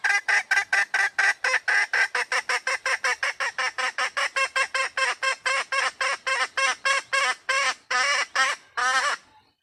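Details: Female red junglefowl calling for a mate: a fast series of about thirty harsh, nasal, honking notes, three to four per second, steady and even, slowing slightly with longer notes near the end.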